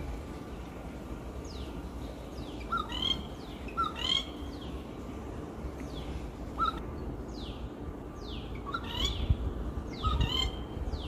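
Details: A Rufous treepie perched in a tree at a house gives short, ringing, metallic notes in loose bursts a second or two apart, with thin falling high whistles and a steady low rumble behind.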